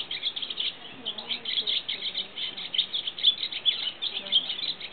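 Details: Swallow at a nature reserve, seen from a hide, delivering continuous rapid high-pitched twittering, scratchy chirps tumbling together with occasional sharper clear notes.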